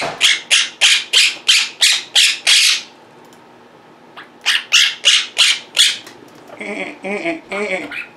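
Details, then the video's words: Pet Monk parakeets (Quaker parrots), being very vocal indoors, give loud, harsh squawks about three per second in two bursts, then a softer, warbling run of mimicry-like chatter in a small room. "Quaker Parrots Being Very Vocal and Mimicking"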